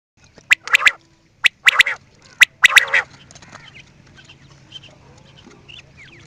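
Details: Quail calling in three sharp phrases over the first three seconds, each a short clipped note then a quick pair of notes, with a rough burst inside the first phrase; only faint scattered chirps follow.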